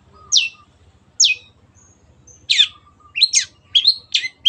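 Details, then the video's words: Long-tailed shrike kept as a cage bird: two clear high downslurred notes, then a faster run of varied chattering and whistled notes, with soft low hum behind. "MASTERAN BURUNG CENDET GACOR"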